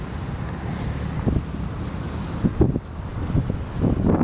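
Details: Loud low rumbling wind buffets the microphone throughout, with gusty bursts and no clear animal call.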